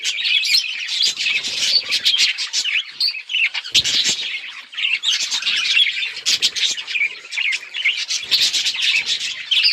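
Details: Budgerigars chirping: dense, continuous high chatter of warbles, clicks and squeaky notes, with brief pauses and a few wing flutters.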